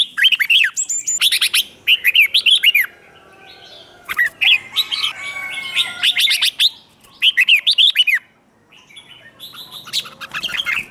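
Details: Red-whiskered bulbul song used to provoke competitive singing: repeated bursts of bright, arched whistled notes in quick phrases of five to eight, separated by short pauses, with fainter high twittering from other birds between.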